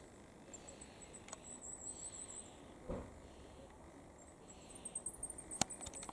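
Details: A goldcrest in Cambridge, UK, on 15 June 2021 around 2:13 pm, apparently flirting with itself, gives strings of very high, thin, tinkling see-see notes in two bursts, with a few soft clicks and knocks nearby.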